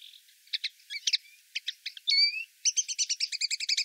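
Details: Common linnet met in the town of Wittlich, Germany, in 2018, sings a lively, twittering song of quick chirps and short nasal trills, ending in a fast run of repeated notes.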